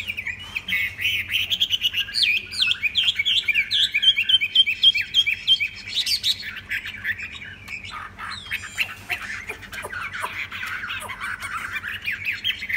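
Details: Tame Chinese hwamei singing: a loud, continuous, high-pitched stream of varied warbled phrases with rapid repeated trills and sweeping whistled notes, more rapid and jumbled in the second half, over a faint low background hum.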